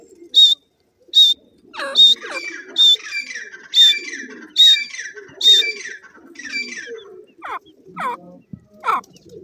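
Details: Grey francolin, locally called dakhni teetar, calling with its chicks nearby: a loud series of sharp, high, ringing notes repeated about once per second, each with a falling tail, over a softer chattering layer, ending in several rising squeals.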